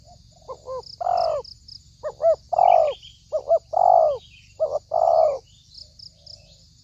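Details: Lure call of a spotted dove for trapping: paired short rising coos leading into longer falling coos, repeated several times, with faint high twittering of other birds behind.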